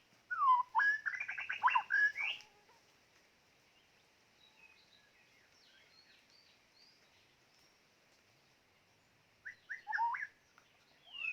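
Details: White-rumped shama used as a decoy delivers a loud opening run of rapid, buzzy ascending trills, falls mostly silent, then returns with a short sharp phrase near the end.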